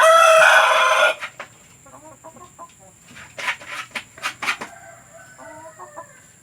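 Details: Chicken sounds meant to encourage hens to lay. A loud, harsh cackle opens, then soft, scattered clucks follow. Sharp knocking sounds appear in the middle.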